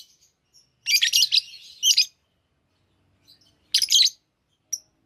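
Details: Many lovebirds, active and healthy, in a lively mood; two bursts of shrill, harsh chattering chirps, the first about a second long, the second shorter, with quiet gaps and a single brief peep near the end.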